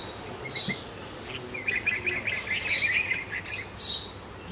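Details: Fledgling red-vented bulbul being fed by its parents after a cat raided the nest; three sharp high chirps mixed with a quick run of chattering twittery notes in the middle, faint background hum.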